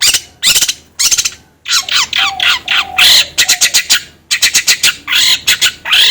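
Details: Long-tailed shrike lure song for getting another bird to sing: harsh grating bursts and scratchy chatter, repeated in quick clusters with brief gaps.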